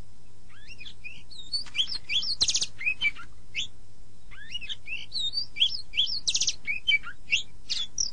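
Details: Oriental magpie-robin (kacer) master song used to train other songbirds, best played morning or evening: bursts of varied whistled notes, sharp rising and falling slurs, and short buzzy rasps, pausing between phrases, over a faint low hum.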